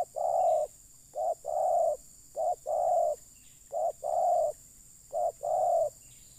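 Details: Spotted dove used for luring wild birds, giving a steady series of low, hollow coos: each phrase a brief clipped note then a longer rounded coo, repeated regularly over and over, with little else heard behind it.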